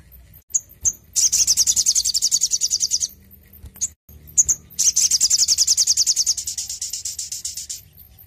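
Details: Sogon sings eagerly, offered to stimulate caged birds to sing: isolated high chips lead into two long, very high, rapid trills of quick pulsed notes, the second fading gradually toward its end.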